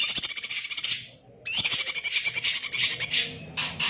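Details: Rapid, dense chattering of a greater green leafbird, sung in a style compared to the magpie robin. Two long buzzy pulsed phrases with a bright rising note are divided by a brief pause.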